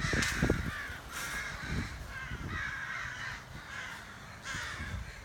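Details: Crows calling outside a back door: harsh, hoarse caws repeated at uneven intervals, about six over a few seconds, with low thumps and rumbling in the background.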